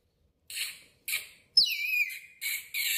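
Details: A lorikeet whistling in a washroom gives harsh, high screechy bursts and a sliding whistle dropping in pitch, five short phrases in three seconds, echoing in the small room.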